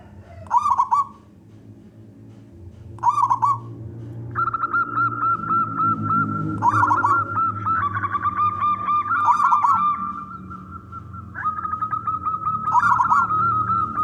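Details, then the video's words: Local wild zebra dove, a persistent singer with a big voice, singing to lure other doves into song: bursts of low cooing trills, then long runs of steady, evenly repeated hooting notes overlapping, possibly from more than one bird. "perkutut lokal gacor suara besar"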